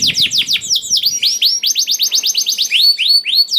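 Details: Canary singing, a lure to get silent canaries singing: a quick series of sweeping downslurred whistles, then evenly spaced upslurred chirps with bright high overtones.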